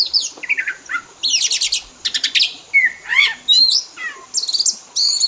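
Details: Pet Oriental magpie-robin singing lively fill-in song used to lure and train birds to imitate. Loud buzzy trilled bursts alternate with clear slurred whistles and short chirps, in uneven phrases.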